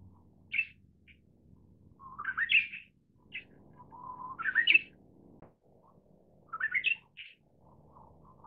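Manchurian bush warbler singing: a low held whistle that sweeps up into an explosive, rising flourish, repeated about every two seconds between short sharp notes, over a faint rumble.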